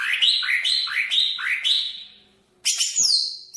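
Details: Banyuwangi greater green leafbird singing four quick rising whistled notes in a row, a brief pause, then a sharp high downslurred whistle phrase.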